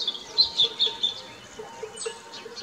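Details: Song thrush nestlings, probably three, begging as the parent feeds them at a garden nest: thin, high cheeping, four or five quick squeaks in about a second, then a sharp falling note; faint background hiss.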